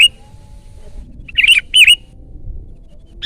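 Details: Sooty-headed bulbul singing loudly, meant as a lure and tutor recording: a brief note, then a pair of rich, bubbling slurred phrases close together, clear and strong against a quiet background.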